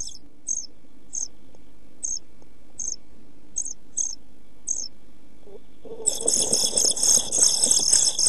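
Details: Nest-box brood of European pied flycatchers, 27 June 2013, amid lack of food and hot weather. Short, thin hissy begging notes come about once every two-thirds of a second, then swell into a loud, sustained rasping chorus.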